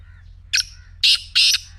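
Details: Harsh grating call of a black francolin: a short buzzy note, then two long, loud, rough bursts roughly a third of a second apart. A faint earlier chirp and a steady low hum lie behind.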